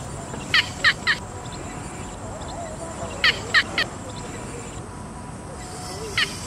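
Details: Yellow bittern (Ixobrychus sinensis) giving short, harsh, clipped notes in quick groups of three, two such bursts a few seconds apart, then a single note, over a steady high hiss of background insects.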